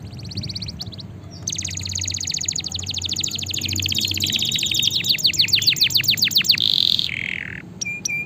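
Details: Canary in full song, used as training and stimulation song for lazy canaries: fast rolling high trills of rapidly repeated notes, shifting into rising sweeps and a steady buzzy passage, with low background hum.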